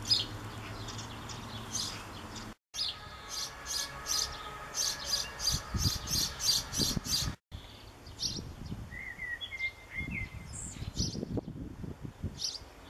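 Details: Young European pied flycatcher in a backyard on 7 June 2013, calling for a parent: rapid runs of short, high, thin chirps repeated several times a second, a brief whistled phrase later, over low rumbling background noise.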